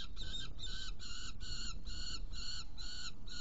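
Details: Saker falcon in Hungary on 16 June 2018, at prey delivery and feeding of two young: harsh, harmonic calls repeated about three times a second, steady throughout, over a strong low rumble.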